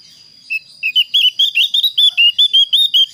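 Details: Javan grey-throated white-eye calling out to a rival: crisp whistled notes that start sparse, then quicken into an even series of about two notes per second-half, over a faint continuous high tone.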